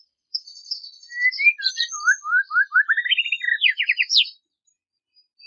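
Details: White-rumped shama (murai batu) in full, varied song meant to call and provoke a rival: high thin whistles, then a rising series of slurred upward notes, ending in quick descending buzzy phrases, about four seconds long.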